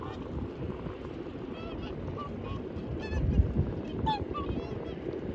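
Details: Whooper swans at Hirakawa, Aomori, Japan, in 2021: several short, faint, nasal, honking calls with harmonic bands, scattered through the clip and mostly around the third to fourth second, over heavy low rumbling wind noise.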